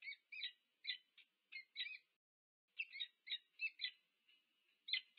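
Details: Peregrine falcon pair meeting at their nest, UC Berkeley, USA, on 2 November 2022, filmed on a nest camera: separated harsh, clipped 'ee-chup'-like notes in loose clusters, with a two-second gap midway and a quiet background.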